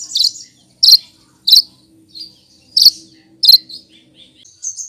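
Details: Lesser green leafbird (cucak kinoy) mimicking other birds' voices, kept as a master bird: sharp, very high chirps given singly at uneven gaps of under a second, with fainter thin twitters between.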